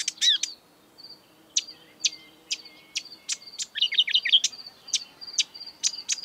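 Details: Wild marsh warbler (kerak basi) singing: a quick, varied jumble of sharp ticks, high chirps and short scratchy trills, with bright notes bursting about every half second and a dense twittering run in the middle.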